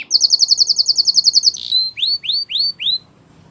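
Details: Spanish Timbrado canary song for training: a fast, even series of bright clipped pulses lasting about one and a half seconds, a short buzz, then five clear rising whistled upslurs spaced about a third of a second apart.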